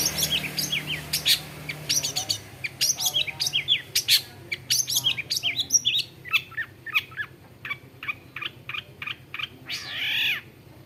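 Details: Active long-tailed shrike (cendet), known for mimicking various other birds, pouring out a jumbled medley of chirps, short whistles, buzzy notes and chatters, ending in a harsh rising squeal, over a faint low hum.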